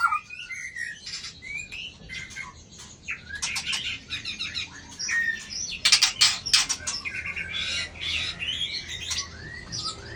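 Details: White-rumped shama, tail of 24, flicking its tail at a rival: softer whistled phrases mixed with dense runs of sharp, scratchy clicking notes over a steady background rumble.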